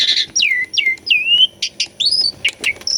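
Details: Gacor Asian pied starling song meant to provoke a bird that has stopped singing: a run of loud descending whistled slurs, buzzy bursts and sharp chirps in quick succession.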